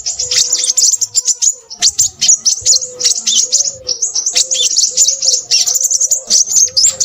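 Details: High, sharp sunbird twitters from a noisy crimson sunbird come in short rapid bursts, layered over a faint low tone repeating roughly every half second.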